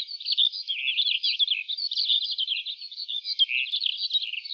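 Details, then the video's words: Softer, slightly distant lark song over an open wheat field: a dense, continuous chatter of high jumbled warbles and twittering notes without breaks. "Lark Singing In An Open Wheat Field"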